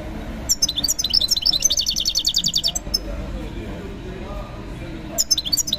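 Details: European goldfinch at a bird market, a fast run of bright, high tinkling notes and buzzy trills, then a pause and a fresh burst, with faint background voices.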